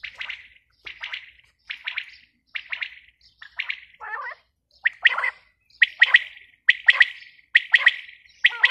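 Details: A female quail sends out evenly spaced, short chirping phrases, one a second, with a lower warbling note in the middle. Later phrases grow louder and more clipped.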